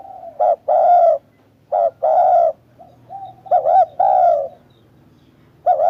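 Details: Spotted dove (chim cu gáy) cooing: low, hollow coo notes in short groups, a brief note followed by a longer drawn coo, repeated with pauses between phrases.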